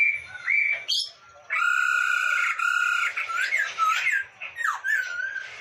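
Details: Masked laughingthrush from Indonesia, singing constantly, recorded as a tutor track for songbird keepers: loud harmonic whistles held steady near the same pitch, then swooping slurred notes and harsh squawky bursts.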